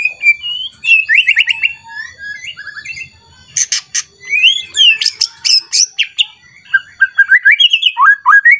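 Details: A white-rumped shama, worked up and seeking a rival, sings a rich, varied challenge song of fluted whistles, quick slurred phrases and harsh chattering notes in rapid, shifting bursts, meant to provoke other shamas into singing.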